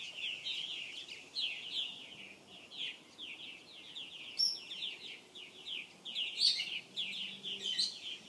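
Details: A purple martin colony in South Florida, 2014, nesting in gourds and houses, chatters steadily with many overlapping gurgling, chirping calls and a few sharper high notes.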